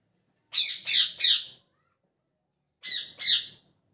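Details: Morning chirping of a parrot: a quick series of three harsh, high squawky chirps, a pause of over a second, then two more similar chirps.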